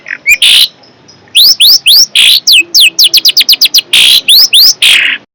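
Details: A fierce long-tailed shrike repeats loud, rising whistled chirps at a fast, uneven rhythm, broken by a few rasping buzzy notes.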